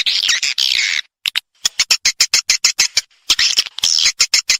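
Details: Swiftlet response call: a buzzy, high twitter, then a quick series of sharp dry clicks, followed by more twittering mixed with clicks.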